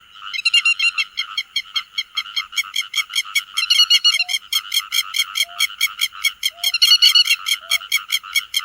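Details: Grey-headed lapwing calling the flock, a lure recording for net trapping: harsh, rasping, harmonic notes in quick overlapping bursts that speed into a steady pulsing series, with a faint short tone repeating about every second.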